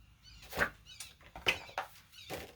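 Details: A medium-sized woodpecker heard in the background indoors gives five sharp, harsh, squeaky calls at uneven half-second gaps; it sounds upset or may be calling to another woodpecker.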